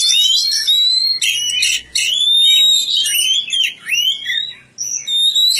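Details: Kacer, the Oriental magpie-robin, a kept bird in village care, singing a rich run of loud whistled notes, long sliding whistles mixed with buzzy chattering bursts and brief pauses.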